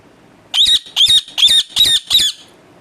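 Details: A pet parrot lets out five harsh, buzzy squawks in quick succession, each short and high-pitched, in an otherwise quiet room.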